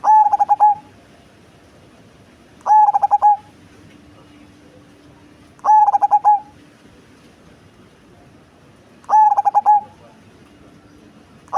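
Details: Cemani zebra dove with a large body and a big, deep bass voice, singing four cooing phrases about three seconds apart. Each phrase is a long note, a run of short stuttered pulses, and a drawn-out final coo, over a faint low hum.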